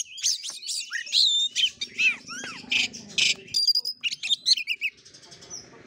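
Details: Fighting-style song of an oriental magpie-robin: rapid high whistles, descending slurs and harsh rasping notes, fading into softer chips toward the end, with a low hum underneath.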